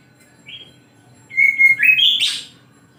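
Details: Morning song of an oriental magpie-robin, a brief high whistle followed by a pause and a clear level whistle climbing into a rising, scratchy flourish.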